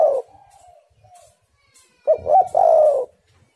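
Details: Spotted dove calling, used as a lure to make wild doves sing: low, soft hooting coos, a drawn-out note at the start, then a short stuttered coo leading into a long, steady cooing note.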